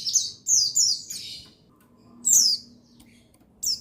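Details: Lure sound of a male buxtoni white-eye for prompting white-eyes to sing: a quick trio of high twittering slurred notes, a pause, then a single strong falling chirp and a final short one.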